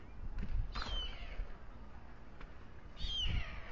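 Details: At dusk on a nest atop the Alcalá de Henares town hall tower, a male white stork feeds its two chicks. Two short, wheezy, hissing bursts with falling whistled notes, separated by a quiet gap, over low background rumble.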